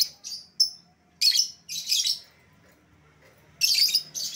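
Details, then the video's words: Lovebird calling sound used to draw back an escaped lovebird: clusters of loud, harsh, high-pitched screeches separated by short gaps. "suara pikat lovebird yang lepas"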